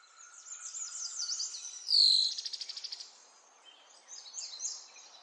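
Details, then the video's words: Songbirds singing in spring in nature: high thin chirps and twitters, a bright buzzy trill near the middle, then softer scattered tweets toward the end. "تغريد العصافير في الطبيعه"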